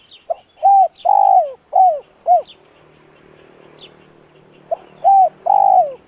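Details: Spotted dove coo phrase used to excite a decoy bird: a quick series of five husky coos with a long drawn central note, a pause with faint chirping, then the phrase restarting with three more coos.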